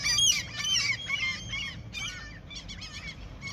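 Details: Seagulls being fed by someone fishing in their territory: several harsh, arched, nasal calls overlap, strongest in the first second, then quieter yelping notes continue, with a low background rumble.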